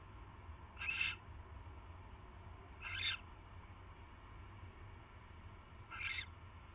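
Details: Barn owl at the nest during a nighttime mouse delivery, 22 January 2016: three short, hoarse hissing bursts spaced two to three seconds apart over a faint steady hum.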